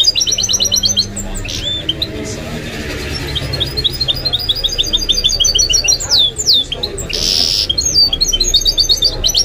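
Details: Hybrid goldfinch-canary mule in full song, mixing high repeated twitters, downward-swooping whistles and one harsh buzzy burst, with steady quiet room noise behind.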